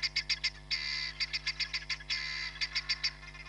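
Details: Hamerkop calling at Nkorho Bush Lodge on 31 July 2021, from a live camera: sharp piping yips about four per second, alternating with short buzzy rattles, with a constant low hum beneath.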